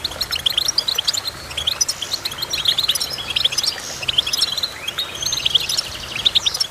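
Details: Goldfinch song of tinkling, high chirps strung into fast twittering phrases, with a few slurred, rising notes between bursts.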